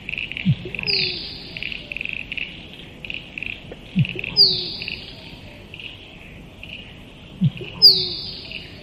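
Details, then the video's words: Musk duck calling repeatedly, roughly every three and a half seconds. Each call is a deep plonk followed by a high, downward-sliding whistle, over a constant background of pulsed insect or frog chirping. "Musk Duck Sound"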